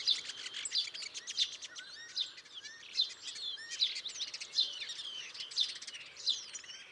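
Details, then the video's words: Starlings chirping in a busy stream of rapid clicks, rattles and short twisting whistles, with bursts recurring roughly every second and no pause throughout. "Starlings chirping"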